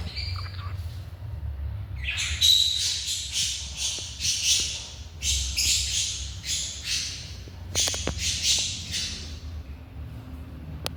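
A cockatiel gives harsh, raspy screeches in a quick run, about two each second.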